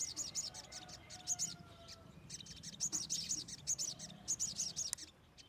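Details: Wild kemade song made of short bursts of rapid, high, tinkling chirps, each burst about half a second long, repeated at irregular gaps over faint background noise.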